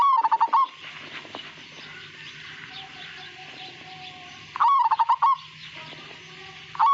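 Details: Majapahit-type zebra dove singing rapid, rolling coos in short bursts about four seconds apart, with a low constant hum and faint bird chatter between phrases.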